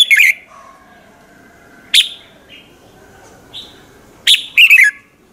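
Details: Red-whiskered bulbul morning song, used as a lure bird; scattered sharp chirps with soft mid-pitched whistles between them, ending in a quick pair of bright falling notes.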